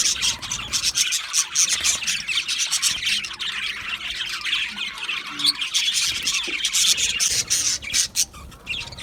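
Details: Budgerigars chattering, a constant stream of raspy warbles and sharp chirps, with a few clearer whistled notes standing out.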